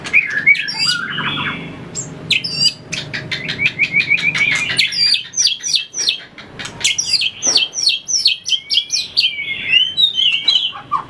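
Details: Caged white-rumped shama in fighting-song training, tail-flicking and hopping between perches: rich, varied song of whistled slurs, sharp clicks and rapid chattering phrases, with fast clicking bursts interspersed throughout.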